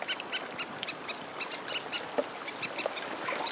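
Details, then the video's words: Antarctic terns, several birds calling as they fly over the shoreline: rapid clipped, grating notes from overlapping callers, some nearer and louder, above a constant rush of lapping sea. "Antarctic Tern. Several Calling In Flight"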